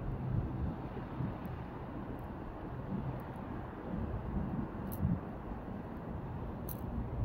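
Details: Low wind or vehicle rumble fills the recording, with a few faint high clicks and no clear animal voice.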